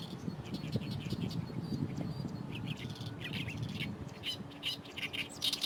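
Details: An Oriental reed warbler in a reed bed beside the Fukuoka Airport runway, Japan, starts with faint scratchy notes that grow into louder, creaky, repeated phrases toward the end, with steady low-pitched noise throughout.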